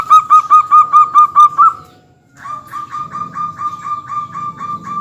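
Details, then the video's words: Local zebra dove used as a lure recording to trigger other birds to call. A loud run of rapid, regular cooing pulses is followed after a brief gap by a softer, steadier series of similar beats. "masteran perkutut lokal gacor bikin heboh ikut bunyi semua"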